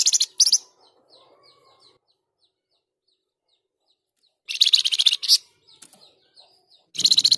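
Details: Flamboyan in loud, persistent song for training and stimulating other birds: short bursts of rapid, shrill, buzzy high notes, then a quiet run of faint ticks, then two more dense chattering bursts with brief pauses.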